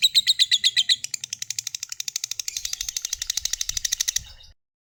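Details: Singing lovebird, a fighter type, in a long ngekek trill used to draw other lovebirds into song. A few clear high chips open a fast rattling trill that carries on for about four seconds and then stops abruptly.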